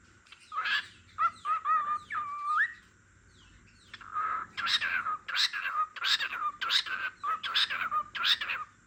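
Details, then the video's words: Singing cockatiel with a lovebird dozing off nearby: a few sliding whistled notes, including one rising upward sweep, followed by a steady series of rough, buzzy chirps repeated about once a second. "Cockatiel Sings"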